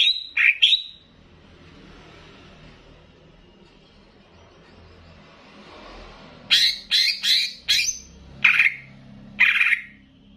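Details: Greater green leafbird, Banyuwangi style, sung to raise other leafbirds' emotion: a few loud, harsh chirps at the start, a long hissy gap, then a cluster of sharp squawky notes.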